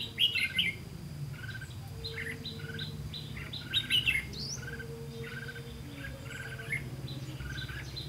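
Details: Red-whiskered bulbul used as a decoy bird in trapping, 18 September 2016: short, chirpy phrases come in bursts, loudest at the start and near four seconds, over a constant low hum and buzzing background.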